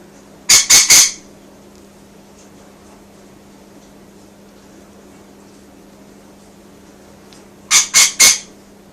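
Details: Rainbow lorikeet, a pet named Simon, happy while being filmed and talked to, gives two bursts of three harsh, grating screeches about seven seconds apart over a steady low hum.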